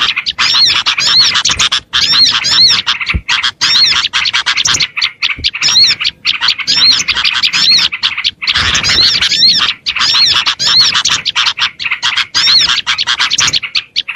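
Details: Small-bird lure of Oriental white-eye (pleci): long run of shrill, fast chattering and repeated arched whistles, phrases of one to two seconds broken by short pauses.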